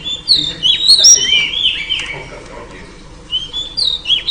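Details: Female oriental magpie-robin calling to tempt a male into singing: drawn-out, wavering high whistles and chirps, then a brief lull before a few more sharp whistled notes.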